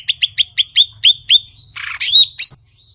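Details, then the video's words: Cucak ijo, or blue-winged leafbird, repeating a clear piping note about seven times at a steady quick pace, then a harsh noisy rasp and sweeping whistles. "Burung gachor Cucak ijo/Ranting"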